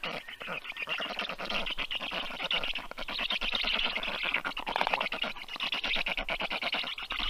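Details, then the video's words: Thirty-day-old rescued black stork chicks stuffed with food during an afternoon feeding at a Tartu, Estonia wildlife clinic, June 2022; continuous harsh, buzzy begging chatter of rapid pulses, steady and loud throughout. "Great feeding by Toru! Little ones are stuffed"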